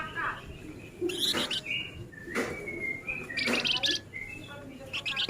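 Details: Male flamboyan singing rapidly: scattered sharp chirps and short buzzy trills, mixed with thin whistled notes in quick bursts separated by brief pauses.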